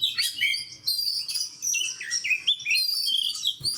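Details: Kacer fighter, an oriental magpie-robin, singing loud and clear: quick series of piercing whistled notes, upward and downward slurs and scratchy chirps in a steady, lively flow.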